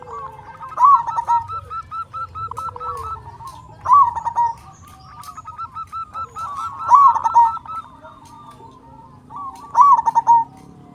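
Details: Zebra dove of a local strain in full song with a big voice. Four loud phrases of fast, stuttering coos are spaced about three seconds apart over softer background cooing and a low hum.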